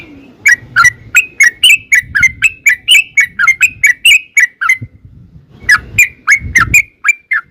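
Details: Trucukan, the yellow-vented bulbul, in long ropel lure song: a steady string of around twenty quick ringing and dipping notes, a short break, then a few more notes, over soft low background noise.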